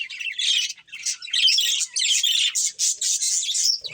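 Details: Breeding pair of budgerigars giving rapid bursts of squeaky, buzzy chirps and warbles, ending with a soft low knock.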